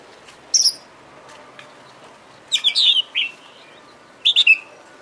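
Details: Oriental magpie-robin (kacer) lure song meant to provoke a reply and tail-fanning: three short separated phrases of high buzzy chirps with falling whistled notes, quiet gaps between them.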